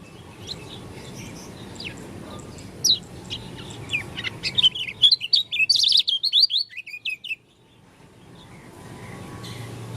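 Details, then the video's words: Oriental white-eye from Lombok with an unusual song: a rapid run of high chirping, twittering notes building over about three seconds, then stopping, over steady low background hum. "Pleci dakun lombok suara aneh"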